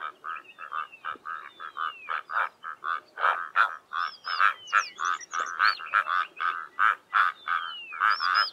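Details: A pair of Karoo korhaans duets in the early morning on an open plain in the southern Karoo, giving rough, frog-like croaks about three per second in a steady throbbing rhythm; thin whistles from other birds sound faintly behind.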